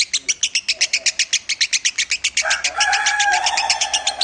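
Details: Lovebird heard in a training recording, with fast evenly spaced sharp chirps. Midway a lower, smoother warbling phrase rises beneath them and continues to the end.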